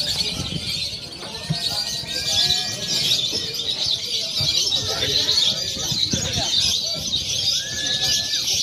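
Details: Lovebirds in a simulated free-action contest mixing konslet, fighter and paud styles, used to train birds before competing: dense, shrill, unbroken high chatter with short whistled slurs and scattered lower thumps beneath.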